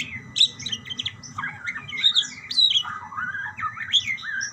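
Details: Budgerigars chattering back and forth in quick warbled phrases, sliding up and down, with sharp high chirps between rolling lower notes.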